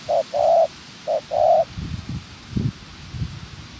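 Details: Spotted dove used as a trapping decoy, in training, giving two short-long coo pairs in quick succession, followed by low rustling and handling noises after the calls stop.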